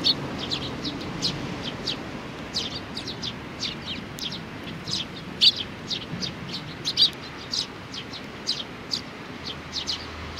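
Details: Sparrows on 27 June 2019, with young birds, keep up steady high chirping. Short tweets come roughly every half second, with occasional louder notes over a light background rumble.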